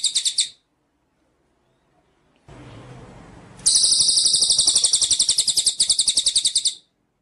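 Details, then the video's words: Cililin bird singing strongly, recorded for training other songbirds: a brief high trill, a pause and a hissing noise, then a long, very high, fast-pulsed trill lasting about three seconds. "masteran cililin gacor"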